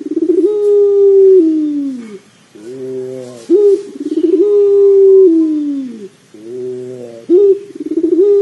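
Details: Pelung dove cooing, used as a lure to prompt another dove to start calling: long low harmonic coos that sag slightly at the end, broken by shorter stepped notes, repeating in a steady cycle about every three seconds.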